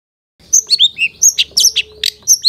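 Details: Long-tailed shrike training song for caged birds, packed with fill-in phrases. A quick run of varied high chirps and slurred whistles rises and falls, repeated at a fast pace, with a faint low tone behind.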